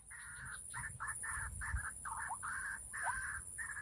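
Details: Harsh, grating croaks in rapid successive bursts from a white-breasted waterhen heard while trapping in the rainy season, under a constant thin high-pitched whine.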